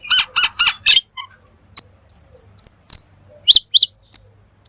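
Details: Black magpie (cucak keling) in lively 'gacor' song. It gives a rapid run of harsh, noisy bursts, then clear high whistled notes and quick rising chirps, repeated in short uneven phrases on a quiet background.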